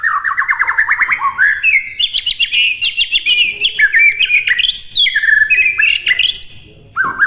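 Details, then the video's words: White-rumped shama song from a master recording meant for imitation: quick rattling notes lead into a long, varied stream of high whistles, buzzy trills and sharp chips, ending after a short silence. "MASTERAN MURAI BATU MUDAH DI TIRU AUTO LANGSUNG LATAH"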